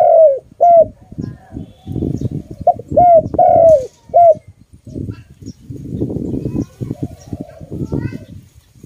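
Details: Pet dove giving loud, rapid short coos, several in quick succession over the first seconds, with heavy low rumbling noise throughout and filling the later part.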